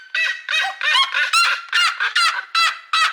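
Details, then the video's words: A seriema at a zoo screams loudly: about nine harsh, strident yelps in three seconds, each a ringing, slightly descending scream in a fast, steady series. "Seriema Bird Singing"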